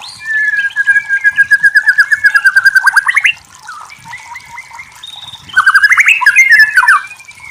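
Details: Shama song played to provoke a reply from other shamas. A long rapid trill climbs slowly in pitch, then a pause with faint notes, then another fast rising trill in a run of whistled notes.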